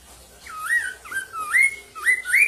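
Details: Black-throated laughingthrush in a loud song played to train caged birds to sing; clear whistled phrases that swoop down, then rise, repeated about every half second, over faint background noise.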